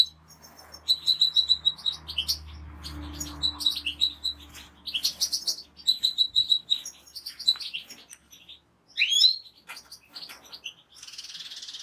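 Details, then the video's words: Song of a European goldfinch raised by a fancier: bursts of liquid twittering and metallic trills in quick phrases separated by brief pauses, with a low steady hum underneath. "اجمل مقاطع طيور الحسون Les plus beaux clips Chardonneret"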